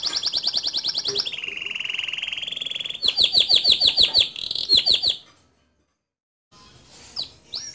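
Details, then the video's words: Male canary song: a fast high rolling trill, a lower sustained buzzy roll, then repeated chirping notes, a brief silence and faint later notes. "Suara Kicau Kenari Jantan Gacor Ngerol Nembak Cocok Dijadikan Masteran Kenari Muda"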